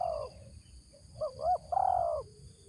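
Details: Spotted dove decoy bird with a 'ngeruk' style voice ends a long coo. Then it gives a fresh phrase of two quick, wavering notes and a sustained, slightly falling hoarse coo.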